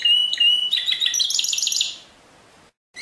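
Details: Pure canary song from 2016: a short burst of rapid repeated high notes rising into a dense trill that fades out after two seconds.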